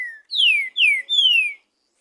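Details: Green-winged saltator singing freely in nature: one phrase of four ringing whistles, a low short note and then three strong downslurred whistles, the last one longest. Quiet background.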